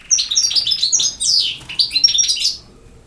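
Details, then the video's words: Campero-style song of a European goldfinch, a quick burst of bright twittering notes, sweeping chirps and short buzzy elements run together in a lively, tumbling phrase. "El Jilguero BiH 25"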